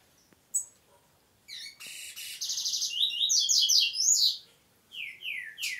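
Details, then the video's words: Double-collared seedeater song: a few scattered high chirps, then a fast run of buzzy trilled notes that build into loud, sweeping, twittering phrases around the middle, fading out with a few downslurred notes at the end. "Coleiro, cantando só no prego."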